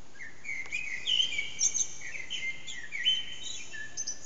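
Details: Common blackbird singing in the early morning around 4:40am in an echoing backyard, bird unseen, recorded on a phone: drawn-out whistled phrases sliding between mid and high pitch, with twittery high flourishes, continuous through the clip over steady background hiss.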